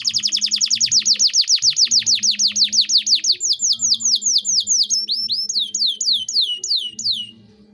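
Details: Canary delivering cengkok mewah song as tutor material for young birds. A fast, even trill of descending notes, around six per second, slows into wider looping whistles before fading out. A low background hum is present.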